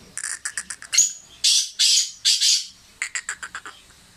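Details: Sindhi black francolin, a tame bird kept by a friend, calling: a quick series of short harsh chirps, then three longer loud rasping notes, then another fast burst of short chirps.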